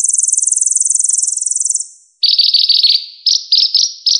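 Purple-throated sunbird: a very high, fast, even trill lasting under two seconds, then a run of short, buzzy, chattering notes a little lower in pitch.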